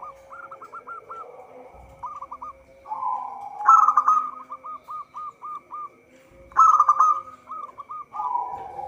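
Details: Local zebra dove singing actively, recorded as a lure for trapping: strings of short hooked cooing notes repeated rapidly, broken by louder rolling bursts, with a steady faint high hum throughout.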